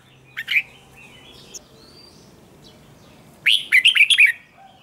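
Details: A red-whiskered bulbul, used as a song-training and fighting-song stimulus, gives two brief chirps, then a rapid burst of five bright, warbled notes after a pause.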